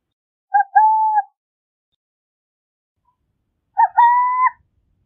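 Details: Burrowing owl song: two separate two-part hoots about three seconds apart, each a short clipped note followed by a longer steady whistled coo. The second phrase is pitched slightly higher. Quiet background.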